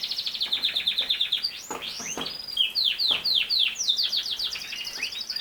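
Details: Canary song: fast repeated chirps in a rapid series, then sweeping downslurred notes and varied bright twitters, continuous and loud.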